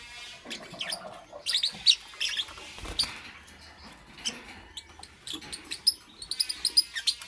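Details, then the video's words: Busy high-pitched chattering from a lovebird in the morning, rapid overlapping chirps and squeaks running almost continuously, getting denser and quicker toward the end. "Amazing Lovebird - Beautiful Colors - Chirping Sounds"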